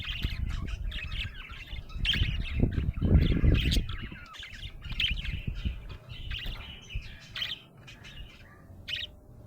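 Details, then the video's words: Happy budgerigar chirping: lively runs of short, bright chirps and squeaky twitters, with a loud low rumbling patch early on that then eases, leaving the chirps clearer. "Happy budgie chirping sound"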